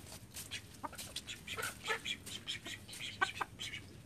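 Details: Call ducks from a flock of thirteen living at a house give scattered, harsh, high quacks in irregular bursts, some overlapping, over a quiet background hum.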